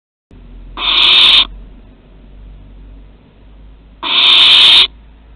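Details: Barn owl at Théding, France, on 2 September 2020, around a first flight from the nest and the return: two harsh, hissing screeches, each under a second long, about three seconds apart.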